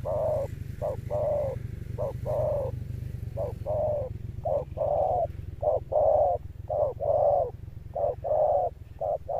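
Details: Male spotted dove of the 'cọp' type giving its deep, thunder-toned coo with a persistent ending. Clipped and lengthened hollow notes repeat in a steady run, about one a second, over a low rumbling hum.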